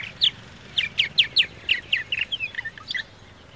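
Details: Purple martin (Progne subis), call.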